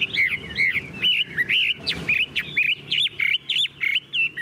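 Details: Tame caged Chinese hwamei delivering quick, loud, twisting whistled notes, some harsh and squeaky, in short bursts roughly several per second.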